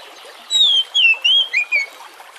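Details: Oriental magpie-robin lure song: five clear, whistled notes that slide down and up, given in quick succession against the steady rush of water.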